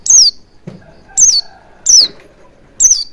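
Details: Oriental white-eye, played as a lure to get birds to sing wild-style and open the beak fully: four sharp, high, downslurred chirps spaced about a second apart, with a faint low knock in between.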